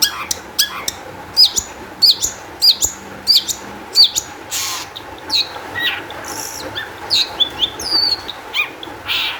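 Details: Long-tailed shrike in energetic, high-emotion song, used as a lure to make other shrikes sing; a fast run of sharp high chirps, then harsh squawky bursts and thin rising whistles, with a faint steady hum beneath.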